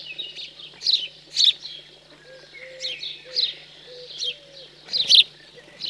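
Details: Fledged house sparrows begging during feeding in chilly central French countryside, 15 June 2020: bursts of shrill, high chirps about every half second, with soft low cooing notes underneath, likely a dove.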